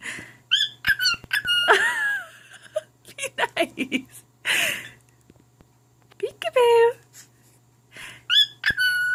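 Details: Pet male cockatiel talking and singing to his less-than-impressed mate: quick chattering talk-like sounds and clicks mixed with short whistles, then a few clear whistled notes near the end. Steady low hum in the room.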